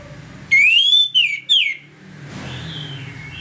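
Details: Morning 'ngeplong' song of an orange-headed thrush, used as a lure to stir aggression: a bright whistled phrase of one long upward slur and two quick descending notes, followed by low rumbling background noise.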